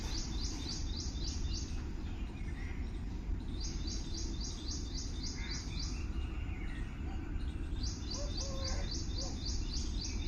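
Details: Birds chirping in the morning: rapid series of short, high chirps repeated in bursts of about ten notes, pausing between runs, over a constant loud low rumble of background noise.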